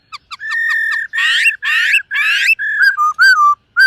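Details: Silver-eared laughingthrush singing and dancing during morning voice training: a few quick clicks, a long whistled note, three buzzy rasping bursts, then short bright whistles and dropping notes.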